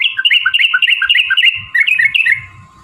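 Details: Yellow-vented bulbul singing a long, rapid chattering song meant to provoke other bulbuls into singing. Quick bubbly two-note phrases run together almost without pause for about three seconds, with a steady low hum behind them.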